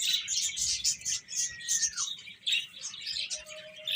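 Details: Chicks feeding and playing together, many shrill chirps overlapping in quick bursts, louder around the first two seconds, while a thin tone glides down and a soft low rumble persists underneath.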